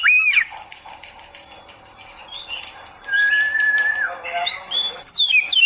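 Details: Oriental magpie-robin heard in a masteran training recording for beginners: an opening looping whistle, a subdued chattering stretch, a long level whistle, then high slurred phrases at the end.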